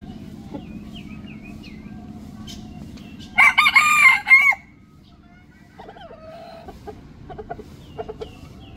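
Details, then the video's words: A red junglefowl rooster gives one short, harsh, clipped crow lasting just over a second. Small birds chirp thin whistled notes before and after, with a few soft calls near the end. "Real Red Jungle Fowl Crow"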